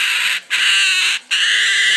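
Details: A two-month-old umbrella cockatoo gives harsh, raspy, hissing screeches in three long bursts separated by brief pauses; no other sounds are heard.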